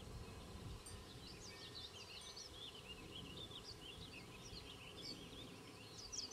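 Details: At a fence-post nest near Queen's University Biological Station, spring 2006, banded Black-capped Chickadee parents feed their nestlings; faint, high, rapid chirps run almost continuously throughout, over steady low background noise.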